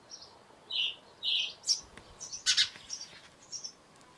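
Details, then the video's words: Short, rapid chirping of a house sparrow, several bright notes in quick irregular succession with a few clicky, broadband sounds mixed in. "House Sparrow Call"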